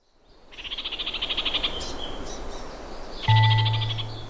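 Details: An orange-fronted parakeet (kākāriki karaka), New Zealand's rarest parakeet, gives a fast, high, rattling chatter of many clipped notes for about a second, then a musical tone and soft background music come in.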